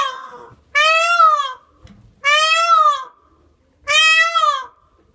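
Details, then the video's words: A yearling peacock gives three loud, nasal, wailing calls, each slightly arched in pitch and spaced about a second and a half apart, in an otherwise quiet setting. "Yearling peacock calling"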